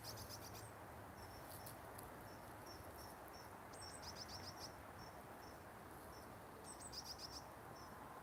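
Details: Wild coal tits visiting a garden where they are fed give thin, very high short notes repeated at a steady pace, with a few brief rapid flurries, over a constant low background hiss.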